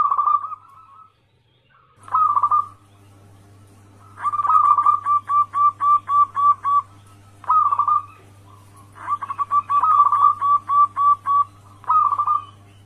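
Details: Zebra dove from the local wild stock, its call played as a trapping lure to draw replies: bursts of rapid staccato cooing notes, about four per second, ending in rolled trills, repeated with pauses, over a constant low hum.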